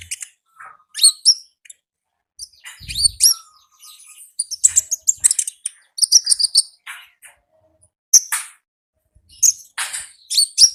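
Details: Wild konin in lively 'gacor ngalas' song: scattered high, sharp chirps and buzzy notes in irregular bursts, with brief faint whistles and a short low thump.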